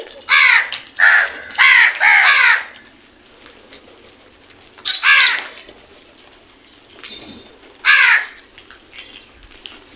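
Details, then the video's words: Group of crows calling: a burst of four harsh, nasal caws in the first three seconds, then single caws near five and eight seconds, with fainter calls between. "Crows sounds | Beautiful sound effect of a group of crows"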